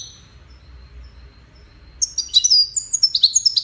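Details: European goldfinch, one of five caged competitors in a song contest; after a quiet start with faint distant notes, a burst of quick, bright twittering and ringing trills begins midway.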